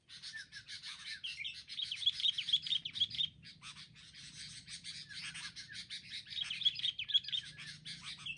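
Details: Wild sooty-headed bulbuls mobbing together in a group attack: two bouts of lively chattering with quick repeated bright chips, about four per second at their fastest, separated by a quieter spell of softer calls.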